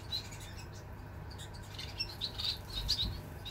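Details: Several pet Society finches resting together, recorded 10 June 2022, give soft, high chirps, several short notes in quick succession from more than one bird, over a low background hum.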